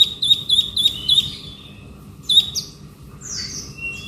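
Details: A male konin delivers ngobra-style song, a run of sharp repeated chirps with downward flicks, a pause, then a single chirp and drawn-out high whistles.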